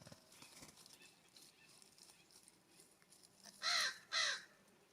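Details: California scrub-jay at a ground feeder near a cabin on a warm September morning in fall, giving two loud, harsh, raspy calls close together near the end, each arching up then down, after a quiet stretch with faint background noise.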